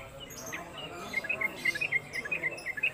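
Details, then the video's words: Caged Sooty-headed Bulbul (trucuk) singing its konslet-style, long-running song, suited as a tutor for other songbirds: short bright chirps, about two per second, irregularly spaced and beginning after a quiet first second over a faint noisy background. "Trucuk Konslet Kemedol Berdurasi"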